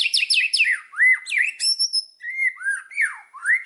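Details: Murai batu (white-rumped shama) from Indonesia, a lure song meant to trigger singing: a quick series of descending high notes, then bold looping whistles and upslurred phrases, clear and varied.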